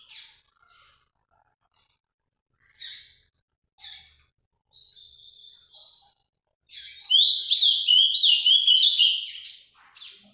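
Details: Ultramarine grosbeak delivering Paraná vinte vinte song: several scattered short high chips and a thin whistled note, then a loud rushing phrase of tumbling, slurred whistles for about three seconds, ending with a sharp note.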